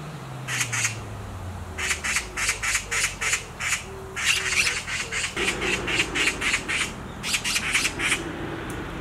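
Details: Black magpie on a tree branch gives long bursts of rapid, harsh chattering screams separated by short pauses, with faint low tones in the background.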